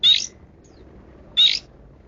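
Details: Long-tailed shrike, described as 'kaya rasa': two loud, harsh, grating rasps about a second and a quarter apart, with a faint thin note between.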